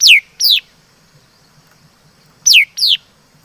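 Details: Laughingthrush singing: loud, clear whistled notes that slide steeply downward, given in pairs about half a second apart, with a two-second pause between pairs; faint low background hum.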